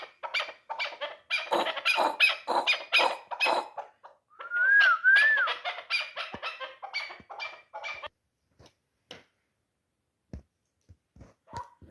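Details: Three-year-old hunting chukar partridge giving a burst of rapid harsh clucks, interrupted by a clear rising and falling whistle, then trailing off into scattered quiet clicks.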